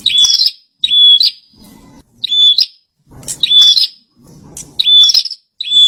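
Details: High, shrill bursts from a bar-winged prinia in full song, each burst a quick chatter ending in a thin whistled note, coming in fast succession over soft background hum.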